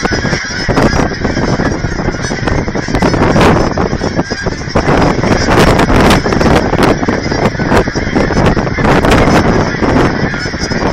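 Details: Thousands of geese at a Texas aquatic center in Hereford, gathered while being fed, honking loudly and continuously in a dense overlapping chorus with constant low noise underneath.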